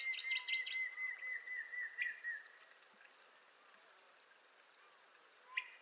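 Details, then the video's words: Montezuma quail, a secretive quail of western North America, giving a long, slightly quavering whistle that slides gently downward for over two seconds, opening with a cluster of short chirpy notes above it, then a single faint note near the end. "Game Bird Sounds Video: Bird Songs Western North America-Montezuma Quail Nature Sound Effects"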